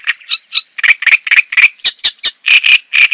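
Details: Java sparrow giving a dense, uneven stream of loud chip and clucking notes, about four or five per second, some higher and ringing, others lower and throaty, over quiet background.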